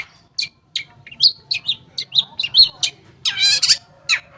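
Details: Long-tailed shrike lure song meant to prompt silent shrikes to sing, made of a quick run of varied sharp whistled and slurred notes, steadily spaced, ending in a broad harsh buzzy burst and a final chip.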